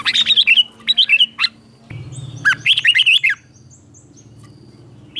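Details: Red-whiskered bulbul singing in the morning to stir other bulbuls into song: two rapid bursts of bright, chirpy warbled notes, each phrase a string of quick slurred whistles, with quiet gaps and a low background rumble.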